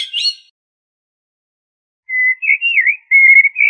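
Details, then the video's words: Common blackbird, Turdus merula: a brief high scratchy note, a long silence, then a smooth fluty phrase of wavering whistles split into two parts. "تغريد طائر الشحرور ( جحمومية - الزرياب ) Turdus merula"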